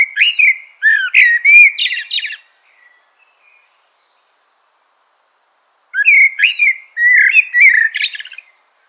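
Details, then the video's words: Common blackbird song: two phrases separated by a pause of about three seconds, each opening with low, rich fluted whistles and ending in scratchy, high-pitched twittering; no other sounds. "Common Blackbird Call/Song/Sound - Chirping/Singing Birds"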